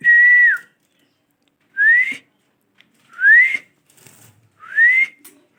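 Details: Pet parrot whistling indoors: four clear whistled notes, the first level then dropping, the rest sliding upward, spaced about one to one and a half seconds apart in an otherwise quiet room.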